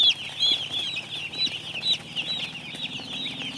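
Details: Baby chicks on a farm making a steady stream of high, clear peeps, a few longer whistled cheeps over a soft low hum.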